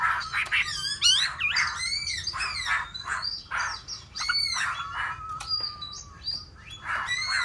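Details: Hwamei in full song, rich and varied, with swooping whistled notes, quick slurred phrases and one long level whistle, delivered in dense bursts with only short pauses.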